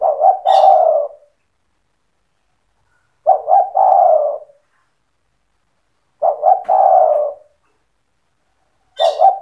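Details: 'Cetretan' song of a spotted dove in full voice, played to make other doves call back: four evenly spaced phrases about three seconds apart, each a clipped stutter then a sustained burry coo; clean background with faint high ticks.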